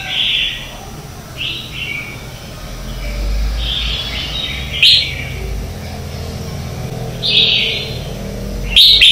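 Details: Red-whiskered bulbul morning song for training lure birds: repeated short bright whistled and warbled phrases every second or two, a few louder emphatic notes, low background hum throughout.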